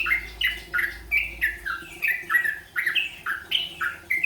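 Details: Yellow-vented bulbul learning rolpen song, delivering a continuous chain of bright, bubbly notes that swoop downward, roughly two to three per second, with a soft low hum at the start.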